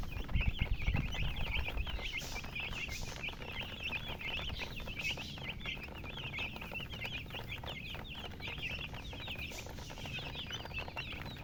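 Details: Flock of baby chicks chirping nonstop, rapid high peeps at roughly four per second across the whole stretch; heavy low rumbling handling noise in the first two seconds.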